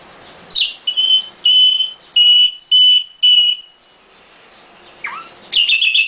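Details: Caged nightingale whistling a series of six even, pure notes at a steady pitch, followed after a pause by a rising slur and a fast buzzy trill.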